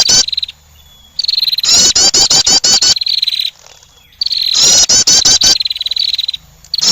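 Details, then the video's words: Attracting call of a female wren: loud runs of sharp, high, clicking notes that merge into a sustained shrill trill, then pause. Two full bursts, with only faint background sound in the short silences. "the sound of a female wren bird attracting"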